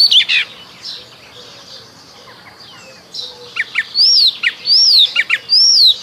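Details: Icterine warbler singing in spring: a brief burst of high notes, a quiet pause, then loud upward-slurred whistles repeated about every half second, with faint distant birds behind.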